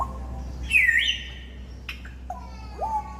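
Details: Domesticated African grey parrots whistling: a clear rising-then-falling whistle, a short sharp note, then a soft low whistle sliding upward, with a steady low hum underneath.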